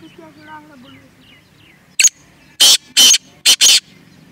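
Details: Francolin (teetar) recorded in a village near Multan: soft chirps and twitters first, then five very loud, harsh, broadband call notes in two close groups over the last two seconds.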